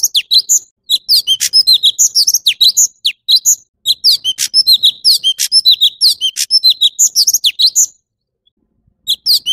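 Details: Long, energetic song of the orange-bellied leafbird: continuous high whistled and slurred notes, several per second, punctuated by sharp rasping clicks, ending after a short pause with a new phrase.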